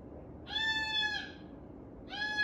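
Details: Indoor pet cockatoo calling for its owner, who is outside at sunset; one long, level, tonal call lasting about a second, slightly falling at the end, followed by the start of a second matching call, with faint background hum.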